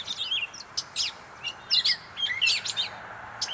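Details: A Gray Catbird in North Tetagouche, New Brunswick, gives a quick, jumbled run of high squeaky chirps, slurred whistles and scratchy notes, several each second, over a faint outdoor hush.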